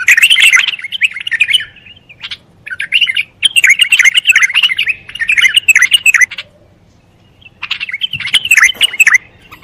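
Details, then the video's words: A bulbul sings a run of loud, bubbling, warbled phrases with fast chattering notes. One pause of over a second breaks the song midway before singing resumes. No other clear sounds. "لصوت البلبل الجميل"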